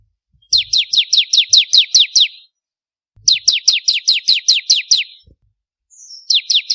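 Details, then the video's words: Bar-winged prinia, crystal type, singing strongly as a tutor for contest birds: two brisk trains of about nine and ten steep, high, downslurred chips, each rattled off evenly, with a third train just starting. "Ciblek Kristal Gacor"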